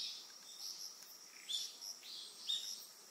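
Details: Three quick, thin, high chirps from an Eastern yellow wagtail on Amami Oshima, Japan, each sliding slightly, about half a second apart, above a steady shrill insect hum.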